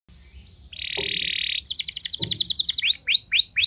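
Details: Canary lure song meant to provoke other canaries into singing: thin upward slurs, then a sustained high buzzy trill, a fast run of rattling notes, and repeated rising whistled sweeps.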